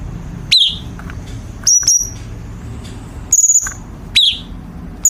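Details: Chinese bulbul, recorded as a training song for competition birds. Shrill chirps and level whistles come roughly every second, some sharply downslurred, some briefly pulsed, over a low hum.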